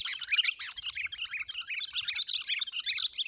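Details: Nonstop bright chattering from wild sooty-headed bulbuls at a lure trap: quick, bubbling notes tumble over one another.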